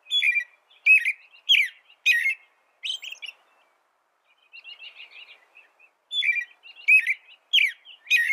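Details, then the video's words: American robin delivering bursts of warbled whistled phrases. Several quick phrases are followed by a near-silent pause and a soft, thin twitter, then another run of loud phrases. "Suara burung american robin"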